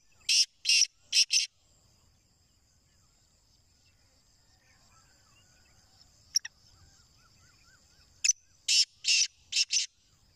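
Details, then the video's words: Black francolin, a male kept as a prized caged calling bird in Pakistan, giving loud harsh grating call phrases: a burst of four rasping notes at the start and another of four near the end, separated by quiet background with faint chirps. "Kala Teetar ki Awaz"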